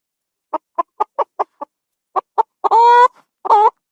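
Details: Adult chicken clucking in a quick series of six short notes, a pause, then more clucks leading into two loud, drawn-out, harmonic squawks like a cackle; nothing else audible.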